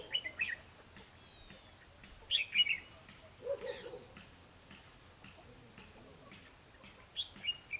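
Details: Red-whiskered bulbul fighting song used in trapping with a lure: short, scattered bursts of bright whistled notes separated by pauses, with a brief lower rasping sound in between and light background hiss.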